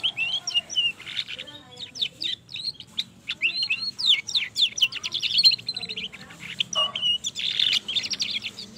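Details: Long rolling song of a young canary, used to encourage other canaries: steady fast series of high clicking and whistled notes, trills running several seconds between short harsher bursts, over faint background hum.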